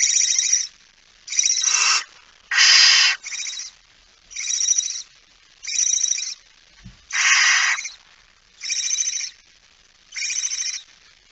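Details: Barn owl at the nest, feeding, early morning of 19 September 2019 at 05:28: nine rough hissing screeches alternate between loud and quieter, each under a second, spaced roughly a second apart, with one faint knock.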